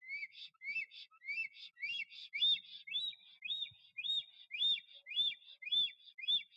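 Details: Male black stork courting at its nest in Notecka Forest on 12 April 2023, singing and displaying while no female arrives. Clear whistled, arched notes repeat almost twice a second in a steady series, with faint low knocks beneath.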